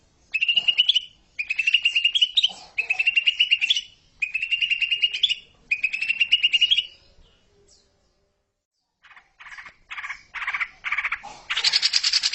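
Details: Greater green leafbird song used to train juveniles toward ngekek chatter: five repeated buzzy trilled phrases on a steady high pitch, a pause, then rapid clipped notes building into harsh scratchy chatter.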